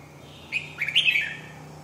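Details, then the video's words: Red-whiskered bulbul delivering a quick chirping phrase: a short opening note, then a run of slurred whistles sweeping up and falling away, over a low steady hum. "Kênh về chim Chào mào"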